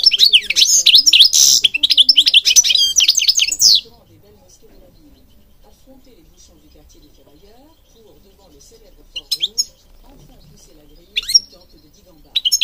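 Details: European goldfinch song opening with about four seconds of dense, fast twittering and buzzy chatter, followed by a long quiet stretch that holds only a few isolated high chirps.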